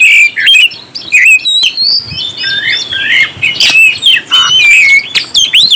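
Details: Oriental magpie-robin delivering a rousing song to excite other birds: a continuous medley of high whistles, chattering notes and sharp upswept calls, steady and loud throughout.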